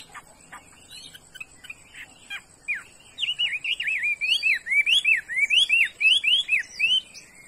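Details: Chinese hwamei song: after a few scattered notes, a run of loud clear whistled slurs, each dipping then rising, repeated rapidly about twice per second with steady rhythm.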